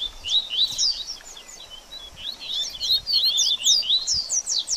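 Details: Double-collared seedeater giving a 'baderninha' style song, used to warm up a bird after feather moult: a fast, jumbled twitter of high, thin slurred notes and rising chips, pouring out almost without pause.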